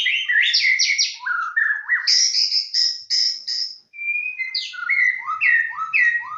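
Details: Rich, varied song of a white-rumped shama used as pancingan to provoke energetic singing: rapid rising and falling whistled notes, high sustained buzzy tones, then a series of clear down-slurred whistles repeated about every half second.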